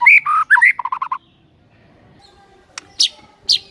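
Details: White-rumped shama song played as a morning lure: a rapid burst of warbled, chattering notes, then quiet with a few sharp high calls.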